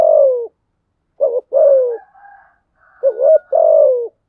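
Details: Spotted dove kept as a lure to trigger cooing, giving repeated two-part coos with long falling notes, faint higher chirps of another bird between phrases.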